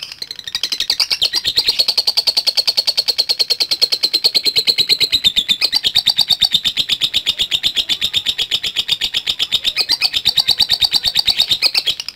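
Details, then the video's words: Extended lovebird ngekek trill lasting about twelve seconds, a dense, unbroken stream of quick high rattling pulses at a fairly steady pitch, with brief wavers near the end. "Love Bird Langsung Ngekek | Latah Dan Ngekek Panjang"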